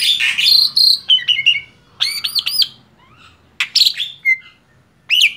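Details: Male black-winged starling, kept tame, giving clear arched whistles, buzzy squawks and short chatter bursts spaced by quiet gaps, with a faint insect-like hiss in the background.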